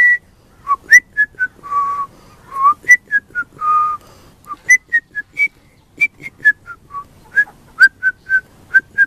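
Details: Baby pied butcherbird's song: many short pure whistled notes alternating high and lower, with a few longer held tones, delivered in a lively, irregular melodic stream.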